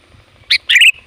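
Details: Brief sooty-headed bulbul burst meant to attract wild bulbuls: one sharp chirp followed by a longer, rich, rolling warble, loud and clear against a quiet background.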